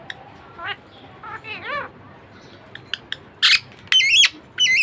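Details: Pet budgerigar moving from soft raspy warbles into loud, harsh squawks with sharply zigzagging whistled notes, the calls growing louder toward the end over low background hum.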